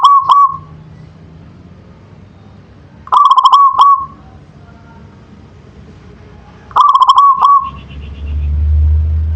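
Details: Local zebra dove singing in the manggung style: three rolling coo phrases about three seconds apart, each a quick trilled burst of clear pulsing notes ending in a drawn-out tone, over a quiet low hum.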